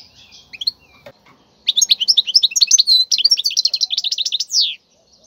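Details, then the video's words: A wild European goldfinch sings a tutor song for chicks. After a soft, scratchy opening, a quick, lively sequence of high chirps and twitters runs about three seconds, ending in a drawn-out buzzy note. "تغريد الحسون البري لتدريب الفراخ"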